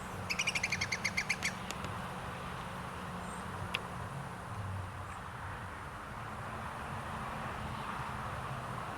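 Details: Iberian Green Woodpecker recorded in 2022, giving a short, quick series of about a dozen ringing, evenly pitched notes that fade near the start, followed by quiet background hum and low rumble.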